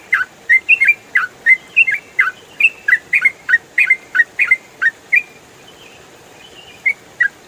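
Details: Yellow-vented bulbul (trucukan) singing in fast ropel style, used as training audio for other songbirds: quick run of clear whistled, slurred notes, about three per second, then a pause and two final notes.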